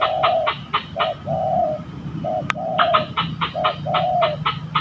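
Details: Spotted dove cooing while fighting on a trapping outing in Indonesia; drawn-out mellow coos overlapped by a fast rattling train of harsh pulses, with one sharp click midway.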